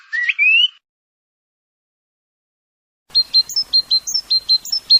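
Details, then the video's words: European goldfinch, a kept cage bird, singing: an opening buzzy rising trill, then silence for over two seconds, then a quick run of high twittering notes about four times a second. "طائر_الحسون.بتبتة خرافية وأصوات تجنن طيورك."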